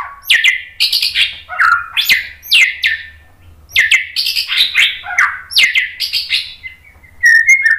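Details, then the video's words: White-rumped shama song used for training, loud varied phrases of rich whistles and sharp notes, rising and falling mostly between mid and high pitch, delivered in quick bursts with brief gaps, ending in thin high chips. "SUARA MURAI BATU Untuk melatih MENTAL biar BUNYI NYAUT JADI GACOR"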